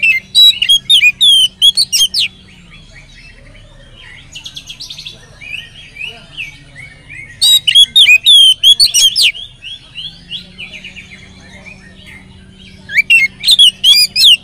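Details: An Oriental magpie-robin sings as a lure to prompt other magpie-robins to sing. Three bursts of rapid, varied whistles and sharp chirps are separated by quieter stretches of soft twittering, with a low hum underneath.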